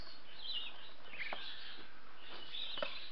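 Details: A pet male budgerigar meeting a young female, which he seems to like, gives soft, scratchy warbling chirps in a few brief bursts, high and chattery, over a steady low background hiss.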